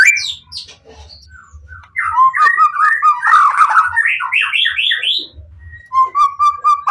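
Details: Caged white-rumped shama singing to coax other shamas into answering: soft opening notes, then loud overlapping whistled phrases that step upward, ending in a steady whistled trill.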